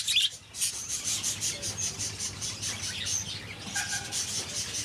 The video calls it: Bird Chick Amazing Sound